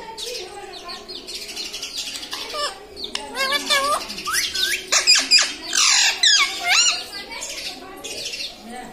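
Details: Talking pet parrot, known for saying "mummy" and "papa", gives a busy stream of bent, warbling syllables and sharp clicks in quick, irregular succession, rising and falling in pitch, in a quiet room.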